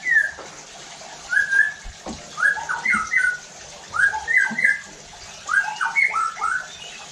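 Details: White-rumped shama lure song for provoking rival shamas: clustered groups of two to four sliding whistled notes, repeated about every second and a half, with faint clicks and background hiss.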